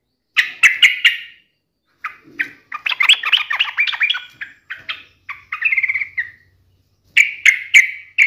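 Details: Rival-challenging yellow-vented bulbul delivering clipped chirps, a long tumbling, gurgling chatter, and a final cluster of crisp notes, with a low hum faintly underneath.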